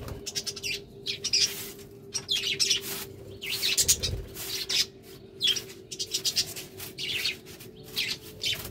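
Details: Courting budgerigars warbling steadily in rapid, raspy, high-pitched chatter broken into short phrases, with a constant low mechanical hum underneath.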